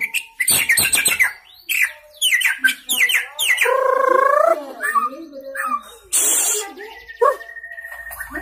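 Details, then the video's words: Energetic song of a young white-rumped shama newly out of juvenile plumage, full of mimicked fill-ins: rapid clicking strokes, upswept whistles, a held wavering buzzy note, a harsh hiss, then a level whistle. "Murai Gacor Muda Lepas Troto Muntah Isian Main Satu Tirik"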